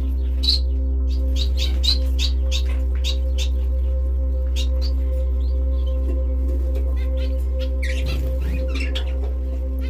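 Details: Canaries kept at home, singing short bursts of bright high chirps and trills, bunched in the first three seconds then scattered, over a strong steady low hum and faint tonal background drone.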